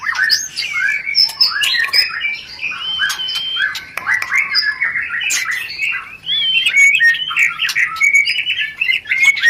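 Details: White-rumped shama sound used to stimulate mating; a continuous jumble of whistles, chatter and harsh notes, loud throughout.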